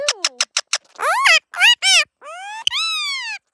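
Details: Pet Indian ringneck parakeet talking outdoors: a quick run of five short, high, chirpy syllables, then longer nasal, speech-like phrases that rise and fall.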